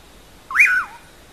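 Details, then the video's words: A single whistled phrase of a bacurau, the pauraque, in the song called "amanhã eu vou": a swift rising note leaping to a clear peak, then a gliding downward slur with a soft trailing end. "Canto do Bacurau Amanha Eu Vou"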